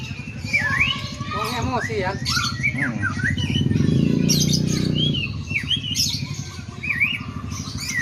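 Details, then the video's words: Song of a white-rumped shama mimicking sooty-headed bulbul: rapid varied whistled slurs and warbled notes, busy and changing, with a loud low rumbling hum swelling in the middle and constant engine drone. "Suara Emas Burung Murai Batu ll Murai Rasa Kutilang"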